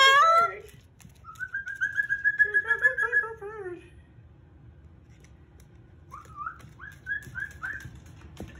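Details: Indoor pet Moluccan cockatoo sings whistled, wavering phrases, followed after a pause by a run of short rising whistled notes. A brief louder sound opens the recording and the room is otherwise quiet.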